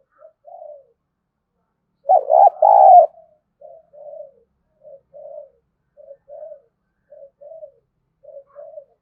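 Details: Decoy spotted dove for luring wild doves: one loud, throaty two-part coo stands out among softer, evenly spaced paired coos repeated roughly every second throughout.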